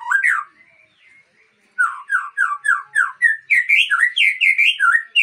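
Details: White-rumped shama (Murai Aceh) breeding stock: after a brief whistle, a steady series of emphatic slurred whistled notes about four per second, rising in pitch toward the end.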